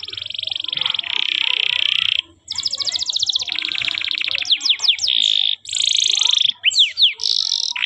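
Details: Canary training song for young birds: long loud rolling trills, some buzzy and some dry, broken by short pauses and bursts of quick downward-sweeping whistled notes, nearly continuous throughout.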